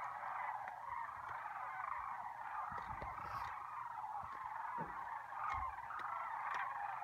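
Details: In spring at Lac Le Jeune, a large flock of sandhill cranes fills the air with a continuous, overlapping chorus of rolling, rattling bugles, with a few low thumps of wind.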